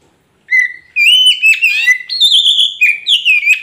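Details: Oriental magpie-robin (kacer poci) song, used to prompt silent kacer to sing and answer back: a rich, unbroken run of clear whistles and slurred rising and falling notes, high and bright, about three seconds.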